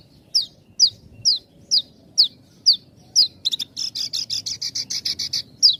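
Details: Javan bush lark, tight-gap song used to coax raw and half-trained birds: seven clear descending whistles evenly spaced about half a second apart, then a rapid buzzy trill and one final whistle.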